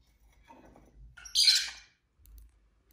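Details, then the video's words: Indoor pet lovebird giving one loud, harsh, high chirp lasting about half a second, preceded by soft low rustling and followed by quiet thumping. "Lovebird Craziness (singing & chirping & fighting sounds)"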